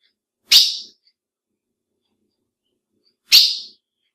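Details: Two sharp, high-pitched chips from a female ultramarine grosbeak, a call that excites males, separated by nearly three seconds of silence.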